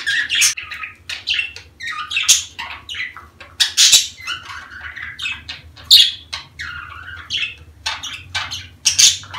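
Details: Budgerigars in breeding season, sounds played to stimulate females to mate and lay eggs; dense warbling chatter of squawks, chirps and sharp clicks from several birds, with loud bursts every second or two over a low hum.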